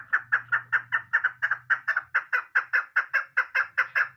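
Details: Chukar partridge, a female, uttering a continuous series of hoarse, clucking chuk notes, roughly two and a half each second, loud and steady throughout, with a faint low hum beneath the first part.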